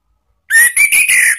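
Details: Orange-headed thrush ngeplong lure song for training cage birds: a short, loud whistled phrase of several slurred notes lasting about one second.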